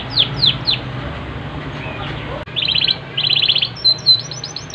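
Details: Yorkshire canary, a domestic breed, singing vigorously: three quick descending whistled notes, a pause, then bursts of rapid buzzy trills and short high chips over a steady low hum.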